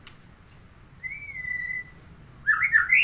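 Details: Neighbour's murai songbird singing: a brief high whistle, then a long level whistled note near two seconds, ending in a loud burst of rising, warbled phrases.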